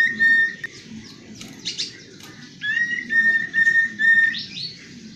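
Common Iora singing long, level, drawn-out whistles, each held about half a second, with brief chattery notes between them over a low background rumble.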